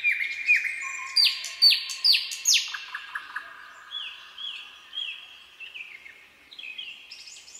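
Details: Common nightingale singing in a forest at night: a few chirps, then four loud, descending swept notes, followed by a steady series of about six clear, level whistled notes, each slightly drawn out.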